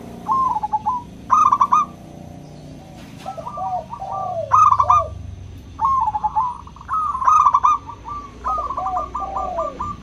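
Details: Several local zebra doves singing, offered as a lure to get hesitant doves calling: repeated bursts of staccato cooing notes with trilled endings, overlapping phrases, and a lower dove cooing beneath.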